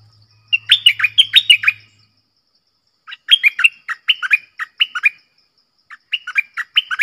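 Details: Red-whiskered bulbul singing a lively, clear song: three bursts of rapid, rich whistled notes sweeping up and down, each phrase of several quick bubbly syllables separated by short pauses; a faint low hum early on.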